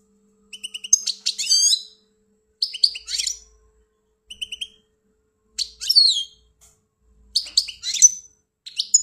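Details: European goldfinch from Algeria singing in short bursts of bright twittering and tinkling notes, with brief pauses between phrases; no other sounds.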